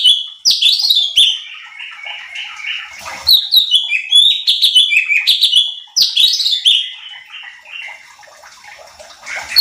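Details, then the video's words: Cucak cungkok (bulbul) used as a training call for competition birds gives lively bursts of chattering, slurred whistles falling in pitch, a fresh outburst roughly every three seconds. "CUCAK CUNGKOK GACOR || Pancingan Cucak Cungkok Malas Bunyi"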